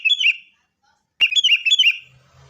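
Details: Sooty-headed bulbul, fighting-style lure song used to make caged birds sing: a short burst of bubbly chirps, a pause, then a longer run of rising and falling chirped notes, with a faint low hum afterward.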